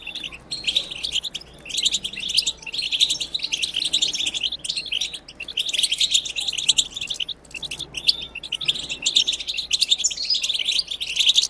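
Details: Long stretch of European goldfinch bitbita khalawiya, used to stir goldfinches to sing; unbroken rapid tinkling twitter with buzzy notes, only brief gaps, steady throughout.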